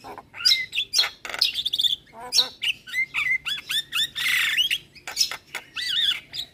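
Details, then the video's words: Javan myna lure song rich in fill-in phrases, used to draw replies from other mynas: a fast mix of clicks, buzzy notes and looping whistled slurs, with a rasping burst partway through. "Semua Burung Jalak Seketika Nyaut Dengar Pancingan Jalak kebo Full Isian Ini"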